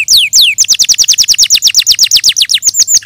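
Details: Canary song: two high whistles sliding steeply downward, then a fast, even run of short downslurred notes, about seven or eight a second, bright and piercing, ending in a few fuller whistles.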